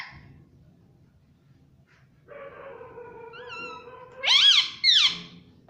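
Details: Talking pet parrot, said to say "mummy" and "mitthu": a quiet start, then a level nasal voice-like tone, followed by two loud, sharply rising and falling squawky syllables near the end.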